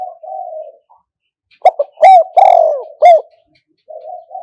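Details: Decoy spotted dove for traditional pen trapping: a soft purring coo, silence, then a quick loud phrase of clipped notes and one long descending coo, followed by gentle low cooing.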